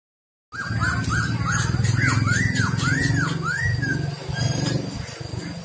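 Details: Silver-eared laughingthrush singing as a lure bird for trapping: a quick run of about seven arched, whistled notes, each rising then falling, repeated roughly twice a second over a steady low engine-like rumble.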